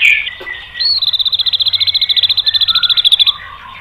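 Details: White-rumped shama song used to provoke other birds: a brief whistled note, then a long, rapid, evenly pulsed high trill of about thirty beats, with soft whistles underneath.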